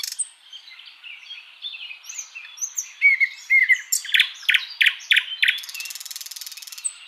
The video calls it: Thrush Nightingale